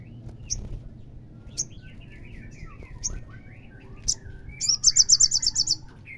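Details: Olive-backed sunbird song played to stir a caged sunbird into answering: scattered high chirps and short downslurred notes, then a rapid run of sharp, evenly repeated high notes near the end, over a low background rumble.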